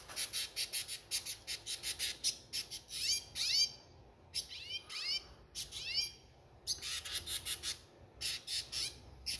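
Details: A breeding, protective female Red Siskin gives rapid bursts of harsh, buzzy chatter, broken by a few quick twittering notes that swoop up and down.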